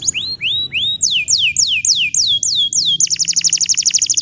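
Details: A bottle-green canary in full song, used to teach young canaries to sing. Upward-curving whistles come first, then a series of bright, slurred descending notes, each about a quarter second apart, ending in a fast, dense trill.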